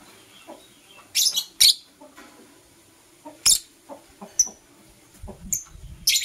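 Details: Blue Opaline and Euwing Opaline lovebirds chirp in the morning while kissing: sparse, harsh, high-pitched chirps about every second or two, some clipped and buzzy, with quiet stretches between.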